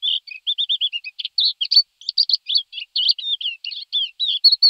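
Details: Thekla's lark singing a fast, unbroken stream of twittering and whistled phrases, opening with a short rolling trill, then mixing buzzy notes, sharp chips and slurred whistles; background silent.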